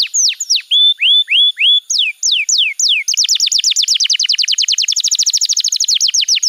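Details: Canary master song used to train juvenile birds, opening with looping whistled upslurs and downslurs, then breaking into a fast, evenly repeated series of sharp descending notes.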